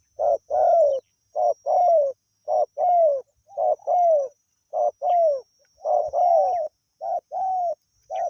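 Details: Spotted dove, a wild bird used as a decoy to lure others, singing continuously: a steady run of soft, low coos, each phrase a short note followed by a longer downward-curving hoot, repeated about a dozen times without pause.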